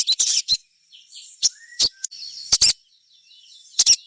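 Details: Chestnut-backed scimitar-babbler lure sound meant to set other birds singing: scattered sharp, high chirps and clicks separated by pauses, with one faint thin whistle and a soft falling note between them.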